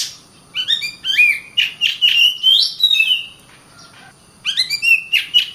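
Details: Caged Oriental magpie-robin trained for song contests, delivering rapid phrases of sweet sliding whistles mixed with harsh chirps, broken by a pause near the end before a fresh burst of rising notes.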